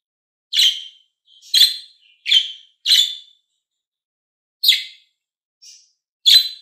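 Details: Green and blue pet budgies playing and calling: a series of short, scratchy chirps, several in quick succession, then a pause and a few more, with a faint soft note between.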